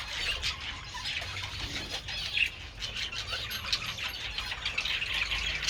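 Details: Budgerigars in a group, basking in sunshine while eating treats on 27 February, keep up a busy stream of rapid twittering and squeaky notes, somewhat quieter, with a faint low hum beneath.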